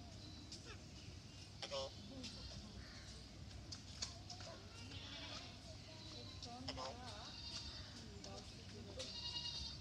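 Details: A female Eclectus parrot at an aquarium in Mysore says a throaty, human-like "hello" a few times, with a man narrating over background music and a steady hum.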